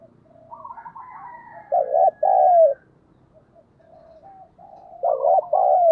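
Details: Spotted dove kept as a lure bird, cooing to attract wild doves; quiet rising preliminary notes lead into loud double coos, the second note longer and falling, heard twice.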